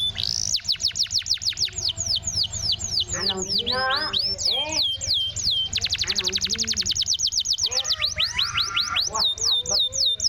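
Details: Canary song used as a lure to coax a non-singing canary back into song: rapid, varied trills of steep down-slurred whistled notes, high and bright, with fast rolling bursts and a few lower warbled phrases, continuous for ten seconds.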